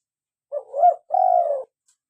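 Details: One full phrase from a lively local spotted dove, played to attract doves and encourage captive birds to sing: a short husky note rising and dipping, a brief pause, then a steady, gently falling coo.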